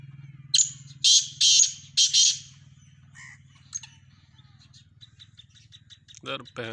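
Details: Black francolin, described locally as a Sindhi teetar, one of several in a mixed set of calls: a run of harsh, grating bursts at the start, then fainter scratchy notes over a steady low engine hum.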